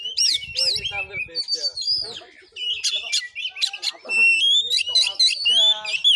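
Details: Fighting kacer song from Padang Gading, Muko Muko: looping whistled notes, buzzy trills and fast clicking bursts, ending in a long bright whistle over soft low thuds.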